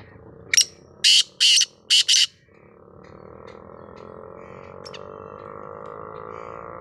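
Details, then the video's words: Black francolin in full, spirited voice gives one short harsh phrase: a brief note, then four loud, grating notes in quick succession, followed by a low steady hum. "kala teetar ki mast awaz"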